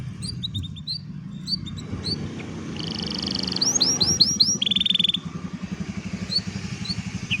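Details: Canary song recorded with a phone: scattered high chirps, then a burst of buzzy trills and quick upswept whistles over a steady low background hum and rumble.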